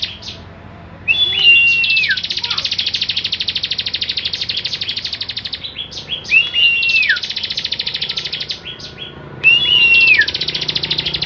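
Bar-winged prinia singing a rapid, buzzy, high-pitched rattle of repeated notes, broken every few seconds by a clear whistle that slides downward.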